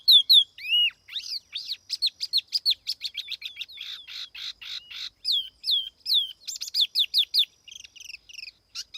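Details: Laughingthrush lure song, a clean recording without background noise: fast, varied whistled phrases with sweeping up-and-down notes, a short buzzy rattle midway, and bursts of rapid high chirps, delivered almost without pause.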